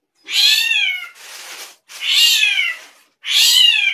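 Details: Drongo (srigunting krantil) producing unusual sounds: three loud, nasal, meow-like wails with a slight downward slur, plus a softer breathy hiss between the first two, recorded close with no other sounds.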